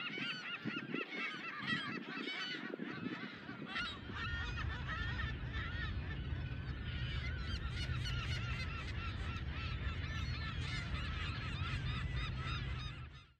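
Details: Thousands of California gulls nesting on tiny islands in Adobe Creek, San Francisco Bay: countless overlapping harsh, nasal kee-ow and yelping calls without pause, over a steady low rumble of wind.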